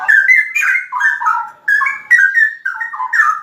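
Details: Straw-headed bulbul delivering rolling 'ropel' song, a run of loud liquid whistles sliding down then up again in short connected phrases, about six bursts, nothing else audible.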